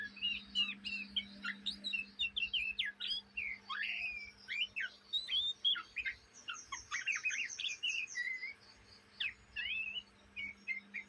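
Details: Young Oriental magpie-robin in Indonesia giving its chattering practice song day and night: a long, dense series of harsh squawky chips, whistles and rasping notes, fast and irregular, with a short lull near the end.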